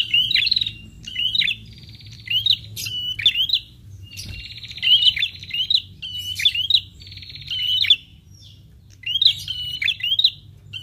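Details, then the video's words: Prinia lure call, the kind prinias reply to at once. Bursts of buzzy trills mixed with sharp rising chirps and crisp ticks repeat in groups, with short pauses between phrases. "PRENJAK LANGSUNG NYAUT DENGAR SUARA PIKAT INI"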